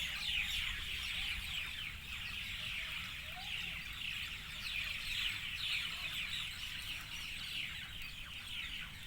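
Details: Evening bird chorus: many birds chirping at once in a dense, continuous wash of short, downward-sliding high chirps, with a steady low rumble underneath.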